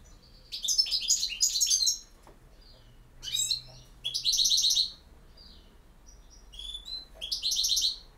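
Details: Campero-style song of a European goldfinch from Bosnia and Herzegovina: short bursts of fast, tinkling twitters and buzzy trills, each under a second to two seconds, broken by quiet gaps with occasional thin high notes.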